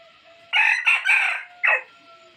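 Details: Rooster giving a standard lure crow meant to draw wild birds out of the forest: three rough, ringing bursts run together, then a brief drop-off note, with faint thin whistles steady in the background.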